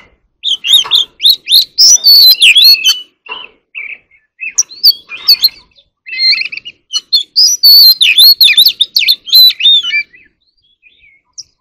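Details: Oriental magpie-robin singing competitively, loud varied whistles, warbles and sweeping notes in dense bursts with short pauses, fading out near the end.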